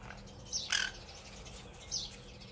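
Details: Flock of around twenty sparrows in a front-yard tree shared with two mourning doves, giving a quick sharp chirp followed by a louder, fuller note and another high chirp, over constant low hum.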